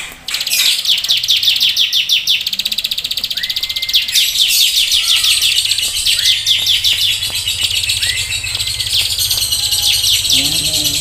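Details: Bar-winged prinia in full, lively song of the nembak keteran style, used for tutoring and prompting birds to sing: dense, rapid high chirps and trills repeated without pause, with a few short rising whistled notes.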